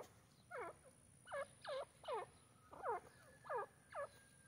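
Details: Black francolin voice: rasping notes that slide downward, repeated in an uneven rhythm roughly every half second against a quiet, low background hum.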